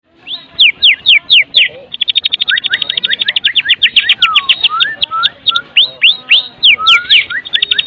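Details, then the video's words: White-rumped shama of the Medan type, full varied song used as a lure to make other shamas sing: sharp descending whistled slurs, a fast rattling trill of repeated notes, then lower slurred whistles and more falling notes. "Kretekan MURAI BATU MEDAN GACOR FULL ISIAN 100% AMPUH buat Pancingan murai batu agar bunyi"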